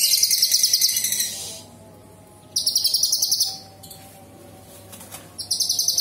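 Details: Sooty-headed Bulbul in full, energetic song: rapid, high, rattling bursts of sharp "shot" notes, varied with mimicry of small birds, large birds and insects, in three spells separated by quiet pauses with a faint low hum behind.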